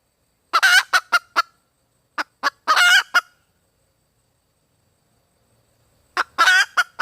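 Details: Female red junglefowl calling for a mate: bursts of harsh, hoarse, broken clucking and cackling notes in groups with short pauses between them, clean and close, with no other sounds.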